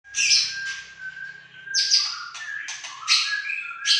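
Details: Caged white-rumped shama of the Aceh type singing: loud rich phrases mixing harsh buzzy bursts with high whistled notes, separated by a steady low whistle held underneath, with faint low hum in the background.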